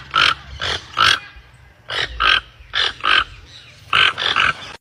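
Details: Toucans calling: loud, hoarse, croaking notes given singly and in quick pairs, roughly every half second to second, with brief quiet gaps between bursts.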